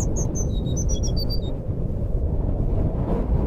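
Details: Jungle flycatcher in nyuling style, played to make a quiet bird sing: a short rapid phrase of bright high whistles lasting about a second and a half, then only low rumbling noise.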